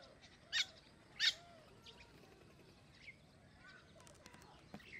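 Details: Common myna calling: two loud, harsh, broad bursts about half a second apart open the passage, followed by softer scattered chirps and faint whistled notes over a quiet background.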